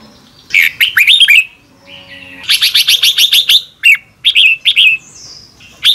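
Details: Morning song of a Red-whiskered bulbul in the double-twist style, for training caged birds: scratchy bursts and curling whistles, a faint low humming sound near two seconds, then a long chattering run and short whistled notes.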